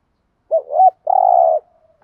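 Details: Decoy spotted dove giving an urging coo used to provoke wild doves: two quick rounded notes followed by one sustained, faintly vibrating coo that trails off softly, no other sounds.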